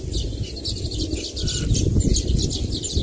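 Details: Baya weavers chattering in a dense, rapid stream of high sizzling chips, several birds at once, with a heavy low rumbling background throughout.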